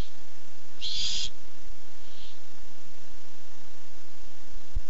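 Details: Barn owl arriving in search of food, August 2015. One loud, harsh hissing screech lasts about half a second. A much fainter, shorter hiss follows a second later, then quiet with faint low rumble.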